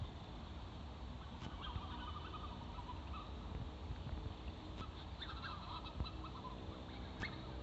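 Black-necked swans give soft, wheezy whistled notes in short rising phrases, a few bursts over several seconds, against a steady low rumble of wind or water.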